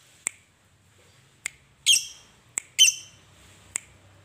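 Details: Fighter lovebird calling to provoke other lovebirds into singing: sharp isolated ticks about once a second, broken by two short, harsh, buzzy chattering bursts near the middle, in a quiet room.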